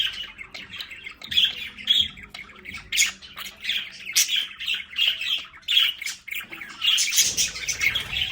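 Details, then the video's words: Home budgerigars in a play area give steady repeated squawks and chirps, harsh and slightly tonal, with a noisier rustling burst near the end. "Sonidos de Periquitos Australianos en casa"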